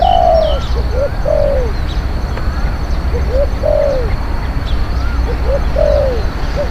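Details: Spotted dove decoy luring wild doves, noted as a fierce, skilled cooer: regular phrases of quick rising coos and a longer falling coo roughly every two seconds, over low background rumble.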